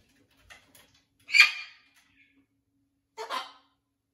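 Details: Soft murmurs, then two short harsh squawks from a blue-and-gold macaw getting used to a new flock in a parrot rescue sanctuary.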